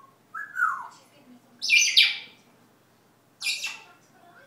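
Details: A household parrot that mimics Dutch words, barking and whistling gives a falling whistled note followed by two loud, harsh, high squawks about a second apart in a quiet room.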